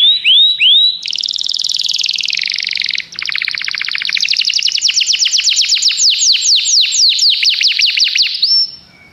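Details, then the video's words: Common canary song opening with two rising whistles, then a long continuous rattling trill of rapid repeated notes that gradually grows sharper and ends in a pure whistled tone. "Canários cantam"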